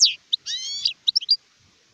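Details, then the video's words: A brief phrase from an adult European goldfinch (sharef), 2019: a sharp high note, a stretched nasal twitter, then three or four quick bright chirps before falling silent. "تغريد حسون كهل (شارف)"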